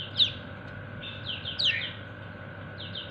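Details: Yellow white-eye (kecial kuning) calling its companions: short thin high chirps, 'ciak ciak', a few bright downslurred notes spread over three seconds against a steady low hum.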